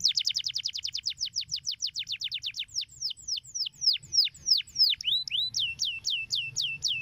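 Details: Canary singing to train young canaries to sing fast: a rapid chain of short, high, falling whistles that slows into longer swooping notes, then upward-curving looped whistles repeated about twice a second.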